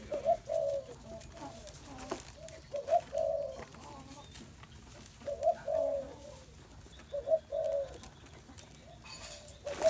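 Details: Spotted dove cooing: repeated low, mellow phrases of two or three hooting notes, each group followed by a pause, with faint clicks and background hiss.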